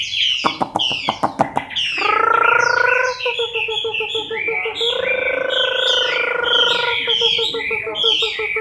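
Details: Chinese hwamei in moult, recorded October 2015, singing a rich run of loud, varied whistled phrases. The song opens with sharp clicks, and a steady pulsing droning tone runs beneath it through the middle.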